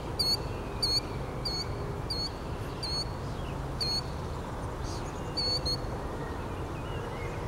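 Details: Killdeer calling outdoors: a series of short, high, sharp notes repeated roughly every half second to second, some doubled, over a steady low rumble of wind or distant traffic.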